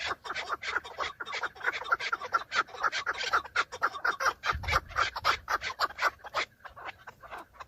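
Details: Breeding-season fight among several male chukar partridges showing off for females, captured from a car. Rapid, rhythmic chuk notes in an unbroken series, roughly two per second, fading slightly near the end.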